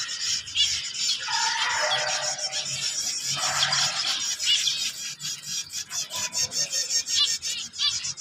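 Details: Chicks of a white finch variety producing constant high-pitched buzzy chatter, rapid and overlapping, with short lower warbled phrases early on and pulsing, stuttering notes toward the end.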